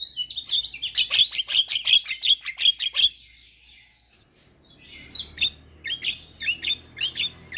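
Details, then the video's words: Javan myna song used as a lure to prompt silent, stressed or moulting caged mynas to sing: a rapid series of sharp, high chirps and short whistles for three seconds, a pause, then renewed bursts of chirps. "Pancingan Jalak MAcet Bunyi / Jalak Stres / Jalak Mabung / Jalak Bisu"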